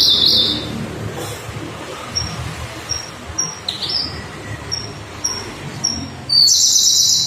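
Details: Siberian Blue Robin, a migratory songbird with deep blue back and white breast, singing actively: loud high buzzy bursts open and close the phrase, with short sharp chip notes repeated roughly every half second in between.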